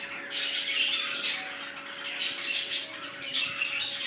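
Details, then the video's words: Busy budgerigar chatter from a new colony that includes red-eyed birds: bursts of bright, raspy squawks and twittering, rising and falling in loudness, with a soft steady hum in the background. "Budgies Parrots New colony"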